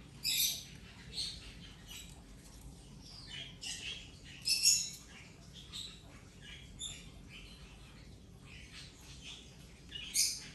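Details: Injured rainbow lorikeet at play while recovering over ten days, giving scattered raspy, high-pitched squawks and short chatter bursts at irregular intervals against a quiet background.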